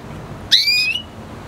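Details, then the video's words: A single upward-sliding whistled note, strong and slightly buzzy, lasting about half a second, from a singing red hooded siskin × canary F1 hybrid. "Red hooded siskin singing | Cardenalito venezuela cantando"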